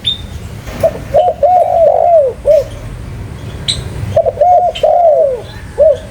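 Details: Spotted dove cooing in two phrases: quick short coos building into a long, smooth falling coo, then a final short note; faint other birdsong behind.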